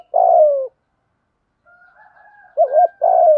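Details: Thổ pha voice spotted dove with gù thúc notes, cock and hen, played to rouse other doves: a long falling coo, a pause with faint higher tones, then a wavering double note and another long descending coo.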